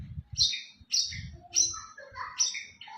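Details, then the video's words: Champion white-rumped shama from a contest pours out rapid, high, bright whistles and chirps, each phrase swooping downward, about one every half second, above faint low thumping. "murai batu juara"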